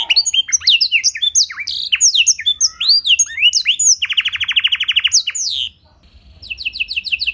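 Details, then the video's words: Canary song filled with blackthroat-style phrases, used as a master to prompt other canaries to sing: rapid sweeping whistled notes, a fast buzzy rattling trill, a brief pause, then a sharp repeated chip series. "Pancingan & Masteran Burung Kenari Isian Blackthroat Suara Jernih!"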